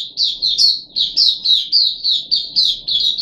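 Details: Puff-backed bulbul held in a cage, recorded 14 July 2021 on the third day after deworming; a steady string of about ten loud, slurred high whistles, each bending up then down.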